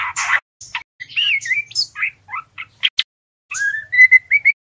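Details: Spotted young male white-rumped shama practising 'ngeriwik' for use as a singing lure; a harsh noisy burst, then warbled, wavering whistles and squeaks, ending in a rising run of clear whistled notes.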